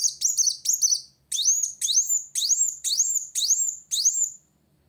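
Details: Olive-backed sunbird singing to challenge a rival: a few quick buzzy high notes, a brief gap, then a steady run of loud rising whistled notes about twice per second.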